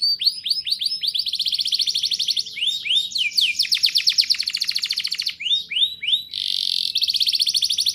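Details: Energetic canary singing nonstop with rolling trills, a lure for young canaries: quick descending chirps, buzzy rattling rolls and bright repeated notes tumble together without pause, closing on a dense harsh trill.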